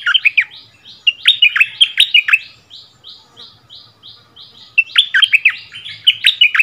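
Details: Decoy bulbul returned to its former ground, singing against a resident territory holder in February 2021: bursts of rich slurred whistles alternate with a steady run of short buzzy notes, then more whistled phrases.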